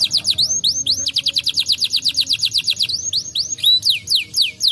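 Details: Brown canaries singing, used to stimulate lazy canaries to sing: loud, varied song of rapid descending whistled sweeps repeated about four per second, mixed with fast trilled rolls and rising slurs.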